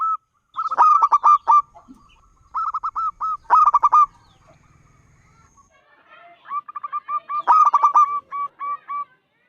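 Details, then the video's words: Local wild-type zebra dove, five years old, a prolific loud singer used to lure other doves into singing; several bursts of rapid, clipped cooing notes in rolling phrases, with short pauses between bursts. "Perkutut lokal gacor suara besar"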